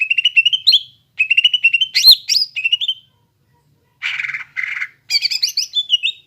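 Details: Singing greater green leafbird, a gacor lure for untrained young birds: trilled phrases of quick repeated whistles, sharp high flourishes, two buzzy rasping bursts, then a twittering closing run.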